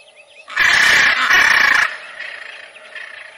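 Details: Macaw giving two loud, harsh, raspy squawks in quick succession, each about half a second long, followed by softer, shorter nasal calls trailing off.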